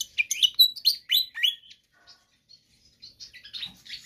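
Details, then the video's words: Energetic, persistent Pied fantail song meant for tutoring or luring other birds: a rapid burst of bright, high chirps and upward-slurred whistles for about a second and a half, then only faint scattered notes. "Sikatan Kipas GACOR Ngotot"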